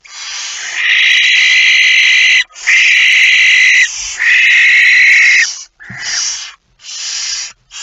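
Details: Barn owl with a mouse, recorded in the night at 01:49 on 17 September 2019: three long, loud, rasping screeches, each over a second, followed by shorter harsh bursts broken by abrupt silences.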